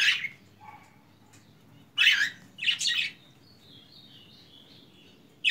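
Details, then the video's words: Budgerigars in a simple aviary chatter with harsh, buzzy chirps in bursts, then a thin high warble trailing off, in an indoor room sound. "periquitos cantando"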